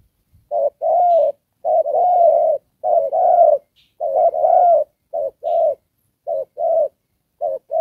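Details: Coo of a spotted dove used as a trapping decoy, "Đồng Pha" style: loud mellow paired notes, the early long coos drawn out and the later pairs shorter, about seven pairs in steady succession.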